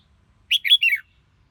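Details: Red-whiskered bulbul singing: a short, bright phrase of three warbled notes lasting about half a second, rich and slightly rolling, in otherwise quiet surroundings.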